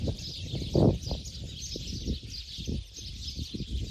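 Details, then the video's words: Sparrows gathering for the night roost in Bodoland: a dense, continuous wash of high twittering chirps from many birds, over low rumbling thumps with a louder knock just before the first second. "Sparrow before night stay."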